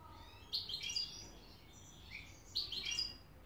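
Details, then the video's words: Excited European goldfinch in Hamburg, Germany, giving two short bursts of bright, tinkling high twitters about two seconds apart over a quiet low hum. "هيجان و تكريم طائر الحسون. Goldfinch. Stieglitz"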